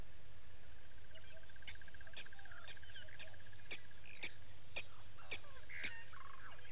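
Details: A Blacksmith lapwing of a family with one chick at Gowrie dam, Djuma Game Reserve, Sabi Sand, South Africa, 06:28 on 9 August 2018, gives sharp, metallic anvil-like clinks about twice a second over low rumble and a faint buzz.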